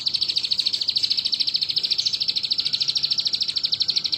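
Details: Crested jay mimicking a bar-winged prinia: an unbroken, rapid, high-pitched pulsing trill, very even and rhythmic, about eleven ticking pulses a second throughout.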